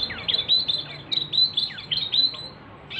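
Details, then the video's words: Male Javan mini wambi, a small local songbird with a loud voice, singing bright high chirps in uneven bursts, each note sliding down sharply, with brief pauses between phrases. "wambi mini gacor ||| sikecil bersuara besar !!!"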